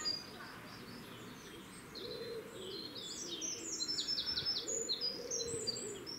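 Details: A wren sings in Cambridge, UK, on 1 June 2020 around 6:49 pm, pouring out a loud, very high, rapid song of rattling trills and sharp notes over a low underlying murmur; Eurasian wren.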